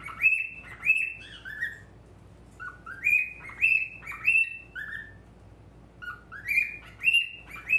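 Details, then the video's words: Male normal-grey cockatiel at a mirror, whistling in short phrases: paired rising and falling tonal notes in bursts separated by brief pauses, bright and clear against a quiet indoor background. "鏡とちくわ♂ Mirror and Chikuwa♂"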